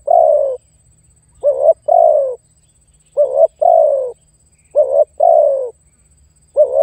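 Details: Spotted dove calling to lure and challenge a rival, used for trapping wild birds: repeated two-part coos, a short wavering note then a longer falling coo, roughly every one and a half seconds, with a faint steady hum behind.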